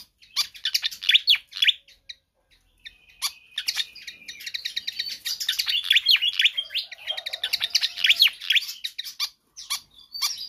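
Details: Pied fantail singing vigorously and nonstop, a recording meant for tutoring or luring other birds: dense run of sharp, squeaky chirps and downslurred notes, briefly interrupted by a level whistle, then resuming rapidly.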